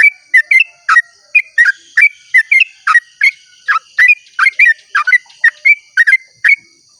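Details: Yellow-vented bulbul in long 'ropel' dawn song: a continuous chain of chirpy, gurgling notes rising and falling, delivered several per second with no breaks. A faint steady high hum sits in the background.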